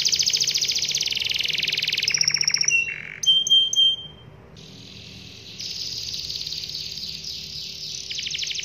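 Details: Long rolling canary song used to get other canaries singing: fast high trills, then a brief dry rattle, a few pure whistled notes, a softer buzzy stretch, and a renewed rapid trill, over a faint steady hum.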